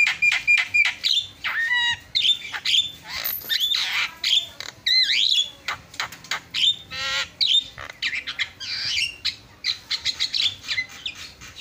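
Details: Javan myna in full vigorous song with fill-in phrases, a dense rapid run of harsh squawks, sharp whistled notes and buzzy rising and falling chirps crowding nearly twelve seconds with brief gaps.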